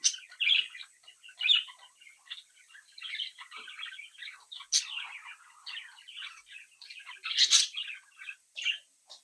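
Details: Flock of young pet budgerigars chattering and mimicking: soft continuous warbled babble with occasional louder sharp chirps and squeaks, several birds blending together indoors.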